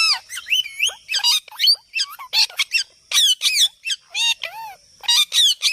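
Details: Ringneck parrot squawking continuously, with loud, shrill, twisting screeches and chatter, several per second, some notes sweeping up and down.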